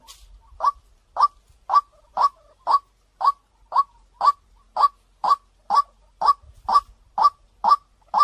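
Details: Clear lure call of a white-breasted waterhen, said to bring birds in fast: sixteen evenly spaced, punchy notes at roughly two per second, steady and insistent, over an otherwise quiet background.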